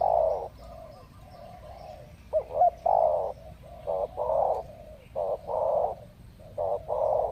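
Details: Spotted dove (tekukur) in the wild, lured in what seems to be the mating season, with birds coming in pairs; a run of low, hollow coos, quick doubled notes alternating with longer held hoots, repeated over seven seconds.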